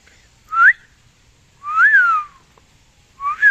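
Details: Pet parrot in the rain giving clear whistled notes: a short rising whistle, a longer arched whistle that rises then falls, and a two-part whistle at the end, spaced about a second and a half apart.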